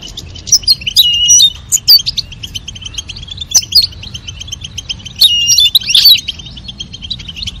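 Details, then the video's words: Female and male European goldfinch, calling and singing to prompt mating; bursts of quick, liquid, high twittering notes with sharp upslurred chirps, separated by short pauses, over a faint low hum. "نذاء أنثى الحسون وتغريد الذكر لتزاوج La llamada del jilguero hembra y el canto del macho"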